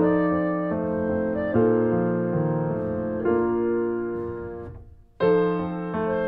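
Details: Piano music plays throughout, with sustained chords, one brief pause and then a new chord.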